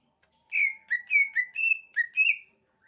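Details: Greater green leafbird singing: a run of six clear whistled notes around the same pitch, each slightly slurred up or down, delivered in quick succession with short gaps, no other sounds.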